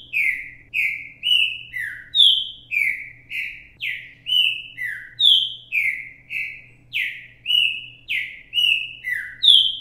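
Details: Live recording of a green-winged saltator's repetidor mateiro song for training young birds: a steady run of about seventeen rich, downslurred whistles over ten seconds, varied in pitch, with only a quiet low hum behind.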